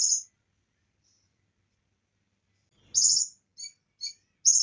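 Bar-winged prinia giving high, sharp, buzzy chirps in short bursts, with a long pause and then a quicker run of notes; other birds' phrases are mixed in.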